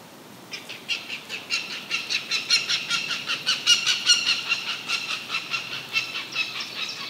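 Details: Northern goshawk parent disturbing a peaceful pond on 31 May 2018 gives a harsh, cackling series of kek notes, about two or three a second, swelling in loudness and then easing off.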